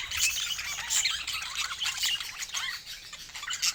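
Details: Lively budgerigar chatter from pet birds, high-pitched twittering and scratchy warbles packed densely across the whole stretch.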